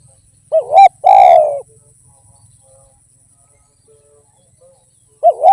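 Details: Derkuku, a spotted dove, giving its tanpa kuk or kuk 1 song: a wavering two-part note and a drawn-out coo, then about three and a half seconds of quiet before the next phrase begins.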